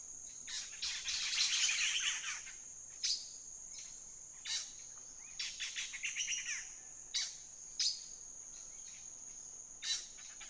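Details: Black-headed saltator song by the Huatulco River near Santa María Huatulco, Oaxaca, Mexico: loud, harsh noisy chattering bursts, the first long and busy, then shorter phrases every second or two, over a steady high insect hiss.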